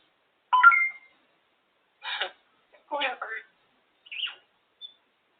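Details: Female African grey parrot on top of her cage making assorted noises and talk-like sounds: a sharp whistled squawk, then several scratchy speech-like syllables and a brief high chirp, separated by silence.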